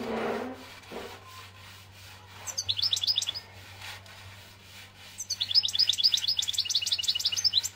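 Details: Algerian European goldfinch in song, two bursts of rapid, bright twittering with jingling high chirps separated by a quiet pause, a soft knock near the start and faint background hum.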